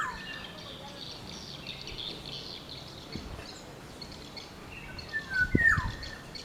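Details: Black-naped oriole (Oriolus chinensis) in the wild giving a brief, rich fluty whistle with slurred falling notes near the end, over a steady hiss of insects and distant birds.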